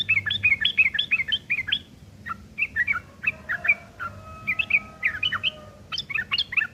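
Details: Sooty-headed bulbul in rough chattering, ngeriwik kasar, meant to teach long-tailed shrikes: a steady string of bright, buzzy chirps, then scattered notes. Later come mixed warbled phrases, with faint steady tones in the background.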